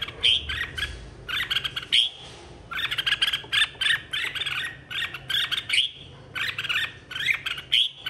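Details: Red-whiskered bulbul singing in a 2023 contest, a stirred-up song for calling the flock: bursts of rapid warbling with bright whistled accents, grouped into phrases of about one second with brief gaps between.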